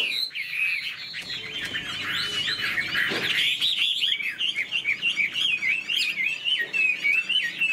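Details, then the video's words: A caged hwamei sings while fanning its tail and working its wings. It gives a rich, rapid stream of looping whistles that turns into quick, evenly repeated slurred notes near the end, with one dull knock midway. "Họa mi đuôi xòe chơi cánh, bóng bộ cực đẹp, hót vẩy đuôi khướu"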